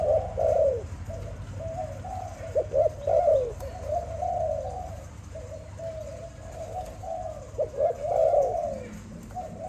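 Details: A pet Malay dove sings continuously, stringing short bright notes and slurred, arched coos into repeated phrases for nearly ten seconds, loudest at the start and near the end, over a low background hum.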